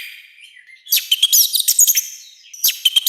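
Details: Orange-headed thrush giving a brief loud training song: a faint whistle, then a dense burst of rapid, scratchy and whistled notes, a short gap, and a final harsh flourish.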